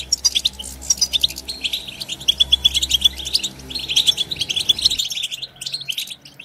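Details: European goldfinch twittering to encourage other goldfinches: repeated clear chirps, then thick fast twittering with liquid trills, fading after about five seconds.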